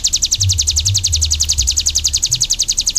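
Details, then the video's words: Bar-winged prinia (ciblek gunung) song: a fast, steady series of very high, sharp notes repeated without pause, with a low rumbling hum underneath. "SUARA BURUNG CIBLEK GUNUNG"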